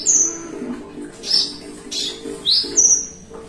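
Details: Javan bushlark, a kept cage bird sitting relaxed, singing 'melung panjang': piercing, high, sustained whistles alternating with breathy bursts and a quick upward slur, loosely spaced over a low background hum.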